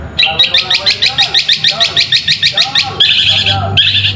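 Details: ['Long-tailed shrike song used as a lure to provoke lazy shrikes into singing: a fast run of harsh, scratchy notes about two per second, ending in louder rasping bursts over a low background hum.']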